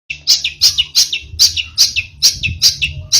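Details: A young long-tailed shrike learning song material gives a steady run of bright, scratchy two-part chirps, about three every second, over a faint low hum.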